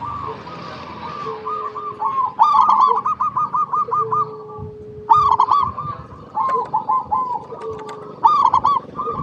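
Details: Zebra dove song played as a lure so other doves answer. Fast staccato cooing phrases repeat several times, each ending in louder rolling trills. A faint, low, steady whistle sounds between phrases.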